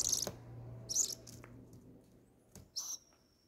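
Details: Two owl chicks, hand-fed crickets on their ninth day of feeding, 21 August 2020, give short, harsh, hissing screeches, three bursts about a second apart, over a faint low hum and a few clicks.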